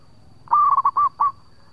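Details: A local zebra dove sings its long lure song: a burst of quick staccato coo notes, then two more spaced coos trailing off, with faint background hum and a thin steady tone.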